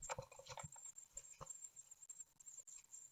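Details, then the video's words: Great tit nestlings being fed on their ninth day, Ostwald nest webcam, 15 June 2020. Loud rustling and flapping of bodies dominate the start, with a thin, high squeaking begging line underneath throughout. "Séquences nourrissage (9ème jour) - 15/06/2020 - Les Mésanges Charbonnières d'Ostwald"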